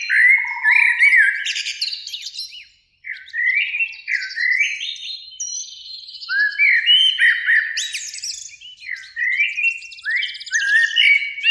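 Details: Eurasian blackbird in spring, one of a pair singing from a beech tree near a lake at evening; repeated rich warbled phrases, each ending in a high squeaky twitter, with a low whistle early and one short pause.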